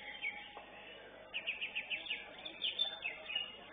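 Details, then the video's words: Greater green leafbird in a singing competition, giving a run of quick, evenly spaced whistled notes and short chirps after a quieter start, over low background murmur. "CUCAK IJO"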